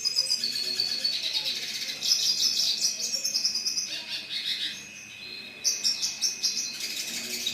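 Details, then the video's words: Red siskin in song, delivering fast, high, chattering twitters and buzzy trilled phrases in several bursts, with a steady faint hum underneath. "Red Siskin"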